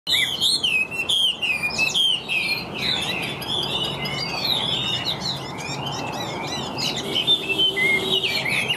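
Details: Caged Chinese hwamei singing nonstop like a machine, strong ringing voice, fig-leaf tail, flicking its wings; dense rapid stream of whistled slurs and chattering notes, about three per second, with a steady low background hum.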